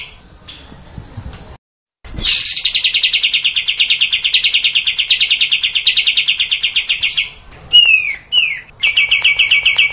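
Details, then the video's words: Kapas tembak bulbul sings a long, sustained run of rapid chattering notes lasting about five seconds, opening with a high rising note and ending in downward-slurred whistles and more quick chips. "Kapas tembak panjang"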